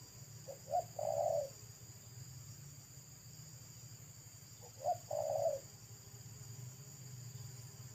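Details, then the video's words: Roadside wild spotted dove of the local pesom style, loud and thick-voiced, giving two coo phrases about four seconds apart, each with brief lead-in notes and a drawn-out ending, over a constant low droning hum. "TEKUKUR LOKAL RASA PESOM"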